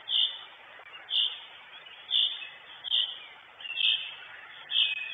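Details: Northern goshawk, the mother at her nest in Estonia, filmed by a live nest camera on 23 June 2022; sharp high calls repeat about once a second, six in a row, over a steady background hiss.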